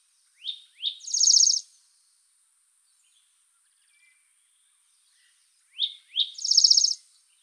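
Spotted Towhee giving two high, quick introductory notes followed by a dry, buzzy trill, twice about five seconds apart, against a quiet background.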